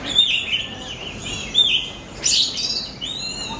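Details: Lure song of an Oriental magpie-robin for training pet birds: clear whistled phrases, then a loud harsh rising burst followed by long sweet drawn-out whistles.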